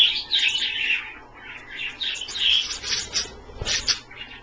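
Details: Captive Australian birds enjoying a daily dish bath indoors; bright, high twittering chirps come in overlapping bursts from several birds, with a faint thump near the end.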